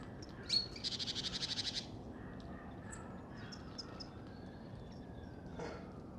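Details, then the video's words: Great spotted woodpecker (Dendrocopos major) drumming on an oak: a single quick drum roll of about ten rapid, evenly spaced strikes lasting under a second, followed by a steady outdoor hum and faint distant chirps. "Большой пёстрый дятел барабанит/Great spotted woodpecker drumming"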